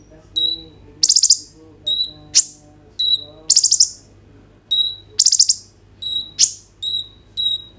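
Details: Kolibri ninja sunbird singing a lively 'roll tembak' style song, used as a lure to set other birds singing, recorded on a phone: steady high whistles interleaved with quick rattling trill bursts.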